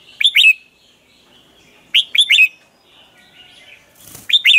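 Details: Red-whiskered bulbul singing a morning training song; short bright phrases of two or three quick rising chirps, repeated about every two seconds, with a brief rustle near the end.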